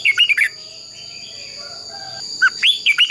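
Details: Red-whiskered bulbul fighting song for training: short bright whistled phrases of quick rising and falling notes at start and end, a quiet gap between, over a steady high-pitched whine.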